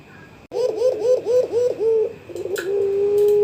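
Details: Barbary dove, young pelung type, calling a rival with five evenly spaced arched coos, then a short fluttering trill and the start of a long level note; a faint click and background hum are present.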